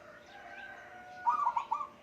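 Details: Wild-caught zebra dove in Thailand, kept as a pet since capture, not yet named and still somewhat wary, singing by the house door. A short burst of quick, rounded cooing notes arrives near the end over a soft hum and background music.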